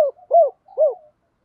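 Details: Decoy spotted dove calling to draw in wild doves. Two short, low, arched coos are spaced about half a second apart in a quiet setting.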